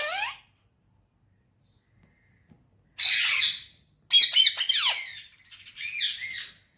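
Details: Happy parrot, kept as a talking bird, gives harsh squawks followed by a run of raspy, chattering, up-and-down notes with wavering overtones, loud and close in a quiet room.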